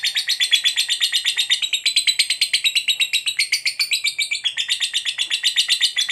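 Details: Extended 'ngekek' chatter from a fighter lovebird, used to draw replies from other lovebirds; harsh, rapid, evenly spaced pulses at about four per second continue for six seconds, the pitch rippling up and down.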